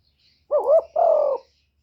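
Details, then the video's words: A spotted dove used as a lure for wild doves gives one full coo phrase: a wavering, rising double note, then a long, steady, slightly falling coo, clear and low against silence. "CU GÙ CỰC SUNG BÀI BẢN DÙNG ĐỂ MỞ KÍCH CHIM BỔI, TERKUKUR, Tiếng chim cu, cu gáy kích bổi"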